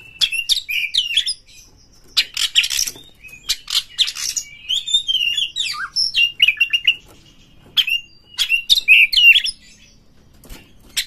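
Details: Fast Oriental magpie-robin song, meant to rouse other magpie-robins: dense runs of buzzy chatter mixed with clear rising and falling whistles, in near-continuous bursts with brief gaps.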